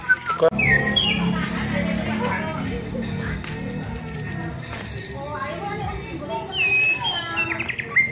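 Orange-headed Thrush song: varied, sweet whistled phrases, including a long high sustained whistle, over background music and low voices.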